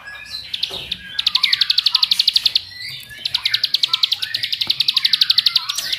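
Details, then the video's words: Ciblek sawah lure song, meant to make other bar-winged prinias sing energetically: two long runs of rapid, evenly spaced high chirps separated by a short gap filled with softer twittering. "Pancingan Jos Terbukti Membuat Ciblek Lain Gacor Ngebrennn"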